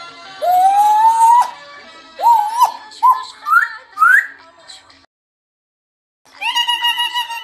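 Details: Grey parrot whistling a series of rising notes: one long upward slide, then three short swooping whistles climbing in pitch, a pause, and a sustained wavering tonal call.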